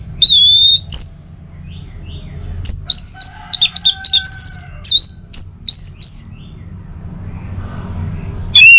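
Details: Orange-headed thrush song from Singaraja, North Bali, played in the morning to coax other thrushes into singing: sharp high whistles and quick slurred notes, then a dense burst of rapid chirps before a pause and a final downslurred whistle.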